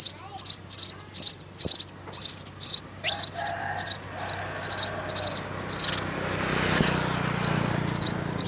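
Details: Rapid, high-pitched chirps repeated roughly twice a second, around seventeen in all, from three young house sparrows at the nest being fed by both parents.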